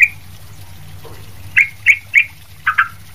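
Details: Sooty-headed bulbul in lively voice, meant for tutoring other bulbuls: one sharp note, a pause, then three evenly spaced bright chirps and a quick double note, with low hum behind.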